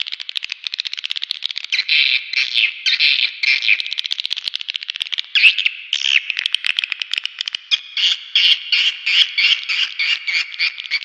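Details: Swiftlet calling sound used as a lure: continuous high chattering twitter broken into fast bursts of rattling clicks, with no other sounds.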